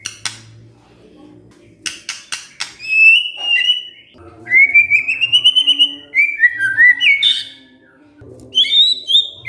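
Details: Murai, the white-rumped shama, answering after being provoked: high clear whistles and slurred fluty phrases with sharp ticks, over a faint low hum.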